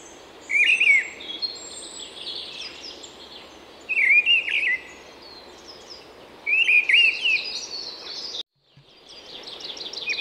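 European Goldfinch giving three short, liquid twittering calls about every three seconds, bright and tinkling, over a steady hiss of insects.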